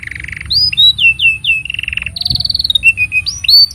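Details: Loud canary song used as master material for young canaries: a buzzy trill, a series of descending whistled slurs, a long rolling trill, then short chips and rising whistles.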